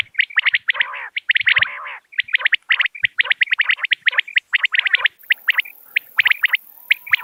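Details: Common quail calling, with sharp clipped notes in quick clusters, often threes, overlapping so that several birds seem to call together. Lower nasal, buzzy notes break in, and a thin steady high hiss starts near the end.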